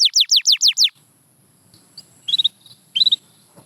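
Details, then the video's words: Canary giving six loud falling whistled notes in quick succession, followed by a few soft short twittering bursts over faint low noise. "Watch Silent Canaries Start Singing Again – Magical Sound Inside!"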